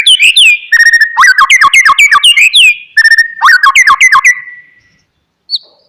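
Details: Oriental magpie-robin (murai batu) song intended to get a sulking, silent bird singing: fast strings of sharp slurred whistles and clipped notes in two dense bursts, trailing into a fading note and a short pause.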